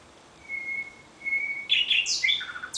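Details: Common nightingale singing at night: two long, pure, steady whistled notes, then a burst of rapid, complex, warbling phrases that jump sharply in pitch, with a quiet background.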